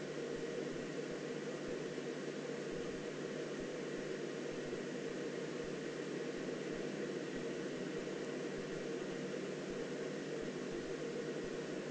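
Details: Only a steady, broadband hiss with a low mechanical hum is heard, with no animal calls.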